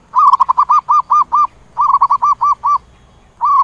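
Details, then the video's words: Zebra dove calling the flock, two long runs of staccato cooing notes that begin as a fast trill and slow into evenly spaced arched coos, then a third run starting. "Tiếng chim Cu Vằn Gọi Bầy"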